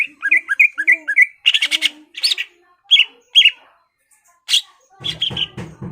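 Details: Greater green leafbird singing to arouse a rival's fighting mood: a rapid run of repeated two-toned chirps, then harsh buzzy bursts and isolated sharp calls, ending with a noisy scratchy patch.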